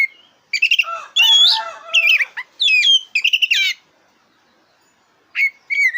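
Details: Black-breasted oriental magpie-robin, song used to provoke birds in singing contests: jumbled mix of rich warbled notes, harsh grating sounds and quick trills, then a pause and two short whistled phrases.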